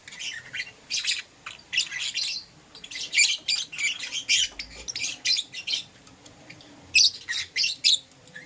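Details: Pet lovebirds of green opaline and lutino colour chirping in the morning, giving rapid runs of shrill, scratchy high chirps in short bursts, some closely stacked, with brief quiet gaps between groups.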